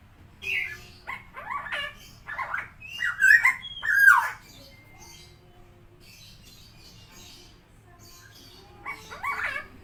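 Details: Helmeted friarbird (koak kao), a tame captive bird, uttering a varied run of harsh chattering and squawking notes, loudest in the middle, with pauses and a final burst, faint room hum behind.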